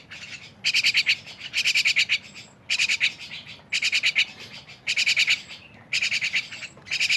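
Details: Myna repeating harsh, buzzy rattling bursts about once a second, each a rapid run of grating pulses over faint background noise.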